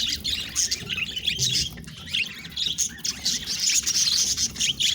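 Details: Budgerigars kept as pets keep up busy high-pitched warbling chatter, short twittering notes and squeaks tumbling over one another continuously, over a soft low background hum.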